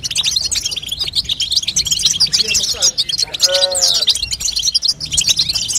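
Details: Female European goldfinch call for stimulating a young bird's song: constant high, rapid chirping and twittering, with one lower, tonal whine with stacked overtones in the middle.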